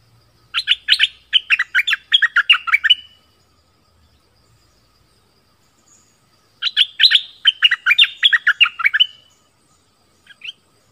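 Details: Orange-headed thrush delivering southern-style song used to draw in wild birds and tutor young birds: two long, lively phrases of rapid varied whistles, about a dozen notes each, with a quiet gap between them.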